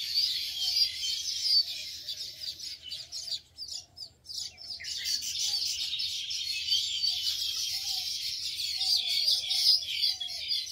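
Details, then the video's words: Flock of baya weavers at a nesting colony in palmyra palms in a field by the Ganga near Shantipur, India; steady high twittering chatter from many birds, briefly dipping around mid-recording, with soft lower calls. "এবং সেই সঙ্গে সঙ্গে কত বাবুই পাখি এবং তাদের কিচিরমিচির শব্দে চারিপাশে কিরকম মুখরিত হয়ে উঠেছে।"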